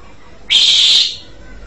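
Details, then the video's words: Asian pied starling, the jalak suren, producing a single loud, rasping, hissy screech lasting about half a second against quiet background noise. "JALAK SUREN"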